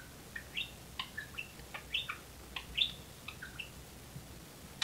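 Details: Talking pet budgerigar playing around its cage and rope perch, one of two budgies kept indoors; short sharp chirps and little squeaky twitters come in quick, uneven strings over a quiet room.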